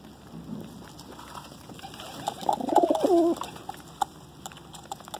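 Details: Pigeons at home while feeding: a burst of warbling, slightly higher cooing notes rises in the middle and then fades, over a quiet background with a few isolated clicks.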